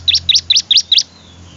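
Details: Five rapid, sharp chirps from a bar-winged prinia in under a second, evenly spaced and high-pitched, in a recording intended for training other birds.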